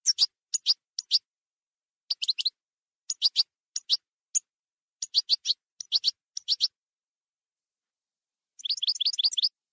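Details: Wild-type (campero) European goldfinch singing: short bursts of bright, tinkling high twitters in groups of two to four notes separated by brief pauses, ending in a faster liquid trill.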